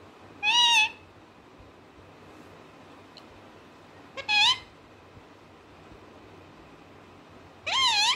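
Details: Pet parrot producing three loud, harsh, wavering squawks roughly three seconds apart, each about half a second long, rich in overtones, over a steady low background hiss.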